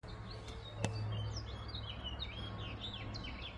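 A house finch gives a quick run of high, slurred, warbling notes, said to mimic a robin's song, over a steady low rumble with one sharp click.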